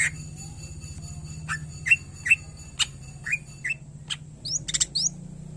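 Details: Greater green leafbird in chatty full song, meant as a master recording for lazy cage birds: sparse, separate slurred whistles, some rising, some falling, with crisp clicks and a steady low hum behind.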